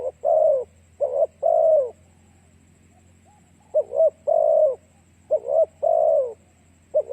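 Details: Spotted dove song played to attract other doves: a double coo then a drawn-out descending croo, repeated three times with a pause in the middle, over a low constant hum.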